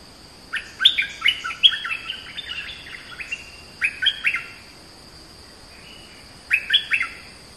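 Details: Oriental magpie-robin singing repeated phrases of loud, sliding whistles and chattering notes. There are three separate bouts, and the first is the longest, with a steady high-pitched hum in the background.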